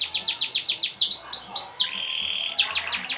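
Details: Canary song used as training audio for contests and to prompt other birds to sing: rapid runs of high downward-sweeping notes, then rising slurs, a sustained high whistled tone and more quick sweeps.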